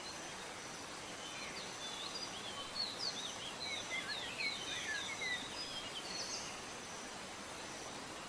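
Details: Indonesian serindit, or blue-crowned hanging parrot, giving a quick burst of high, thin twittering notes clustered in the middle of the recording, rapid and irregular, set against constant broadband hiss.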